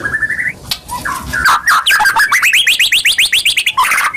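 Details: Lure song of a white-rumped shama (murai batu), a kept songbird, used to prompt other birds into singing. Scattered whistles and chatter build into a quick string of rising, repeated notes, then a final high warble.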